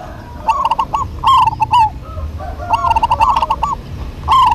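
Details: Two local zebra doves duetting energetically, their fast trilled cooing phrases following close on one another, short beaded notes rolling and dipping at phrase ends over faint low background hum.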